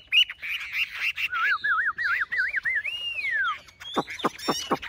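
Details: Very tame Chinese hwamei singing competitively while carried by hand: bright high whistles, then a rolling series of wavy warbled notes and a long descending glide, followed by several sharp downward-sweeping strokes from the rival bird.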